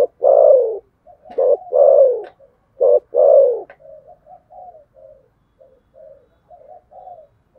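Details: Fighting spotted dove in 'thổ sấm' coo: three loud, full, descending coos, each led by a short clipped note, followed by a run of faint, low, wavering coos.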